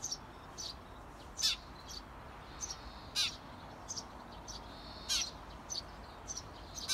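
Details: Eurasian tree sparrow parents calling outside a nest box to encourage 17-day-old nestlings to fledge: scattered clipped chirps with occasional louder, sharper notes at uneven intervals, quiet hiss beneath.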